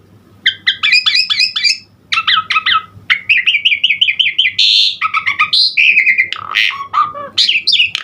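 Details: Energetic Asian pied starling in Indonesia delivering a varied fill-in master song: clusters of sharp, stacked chirps, a rapid trill of repeated whistles, and a buzzy rising note, with scratchy squeaks near the end.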